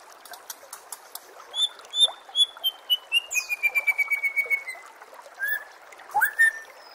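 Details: Shama song played to train birds for contests: a long series of clear whistled notes, gradually descending in pitch, over rhythmic high ticking, then a few sweeping upward whistles.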